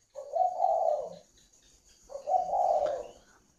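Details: Two separate low cooing phrases from a caged spotted dove in Vietnam, each a short lead-in note swelling into a longer mellow coo, spaced about two seconds apart in a quiet room.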